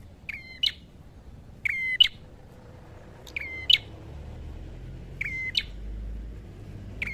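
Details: Red-headed prinia in a vigorous fighting song. Click, level whistle and harsh ending phrases repeat roughly every one to one and a half seconds, five in all, over a low background rumble.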